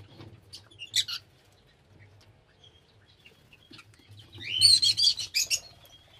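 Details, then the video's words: Lovebirds with a few isolated high chirps, then a dense, rapid burst of shrill chattering squeaks toward the end, over a faint low hum. "Love Birds Nature Sound"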